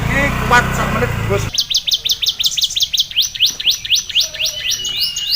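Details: Prize-winning canary filled with ciblek song: after brief human talk and background music, the bird bursts into a quick, rattling chain of high falling notes, then a shifting, slightly slower series of sharp sweeps.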